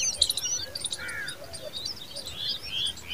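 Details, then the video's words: A Common babbler protecting her young in the nest gives rapid, squeaky high chirps in quick bursts, with a few lower drawn-out notes between them, over light outdoor background noise. "Common babbler protecting her babies in nest"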